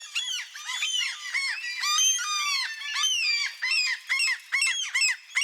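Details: Seagulls squawking in light rain: a dense, overlapping chorus of many gulls giving harsh, arched, nasal cries with no gaps, over a soft hiss.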